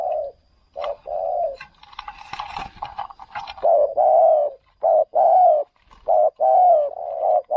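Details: Spotted dove used as a decoy bird to lure wild doves in another province. Deep, throaty coos repeat about once a second, with a burst of rustling noise midway, then several loud, rolling coo phrases.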